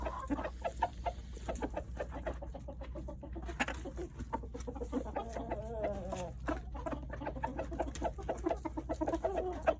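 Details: Domestic rooster reacting to treats: steady low clucks and chuckles throughout, broken midway by a wavering, rising-and-falling purr-like trill, with a low background hum.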